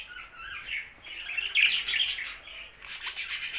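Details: Singing budgerigars: a steady stream of squeaky, rasping warbles and chirps, growing busier and higher toward the end, with rapid repeated chattering notes.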